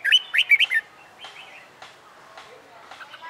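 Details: Caged red-whiskered bulbul, wild-caught and in training for competition song, opens with a fast phrase of five loud, looping whistled notes, followed by faint, scattered chirps.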